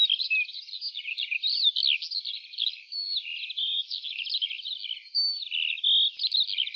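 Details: Lark singing over an open wheat field pours out an unbroken, high-pitched warble of rapid trills, slurred whistles and buzzy notes, changing phrase every fraction of a second with no pauses.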